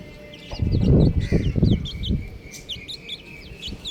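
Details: High peeping of buff chicks, with bright short slurred notes, some rising and some dropping. A burst of loud low bumping comes early, then the peeps continue clearly.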